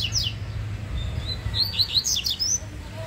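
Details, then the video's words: A fast-singing Yellow-bellied Seedeater, shown competing, sings a fast run of high, sharp chirps and short slurred whistles over a low background rumble. "COLEIRO BAIANO MALUQUINHO DISPUTANDO"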